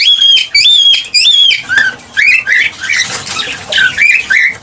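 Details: Cockatiel calls used to stimulate mating: three clear, slightly rising whistles in the first two seconds, then shorter, harsher chirping notes repeated roughly every half second.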